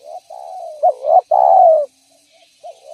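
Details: Energetic spotted dove cooing meant to lure other doves: soft introductory coos build to a louder stressed note and a long, slightly falling coo, followed by the start of another phrase.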